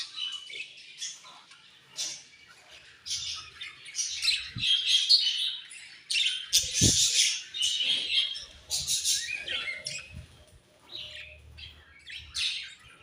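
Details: Budgerigars chattering at morning feeding time, a continuous mix of warbling chirps, buzzy squawks and quick tweets from several birds at once, broken by a couple of sharp knocks.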